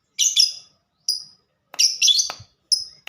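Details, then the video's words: Lovebird in a typing-style, fighter-type song: high chirps at 4–8k in bursts, short buzzy notes with gaps, a sharp click near the end. "Burung Lovebird Suara Ngetik Dan Sama² Fighter"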